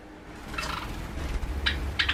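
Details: A 3.5-year-old male cinnamon (sakura) Java sparrow, startled as a 2-year-old female silver Java sparrow attacks another pair's nest box, gives three brief, harsh, buzzy surprise bursts, the last two close together, over a steady low rumble.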